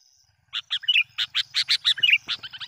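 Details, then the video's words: Sooty-headed bulbul lure call, played to provoke and attract wild bulbuls: a quick run of bright, bubbly chirping notes, short and rising and falling, delivered in a lively burst after a brief quiet start. "PIKAT Kutilang Gacor dengan suara panggilan kutilang pikat,bikin emosi Kutilang Liar"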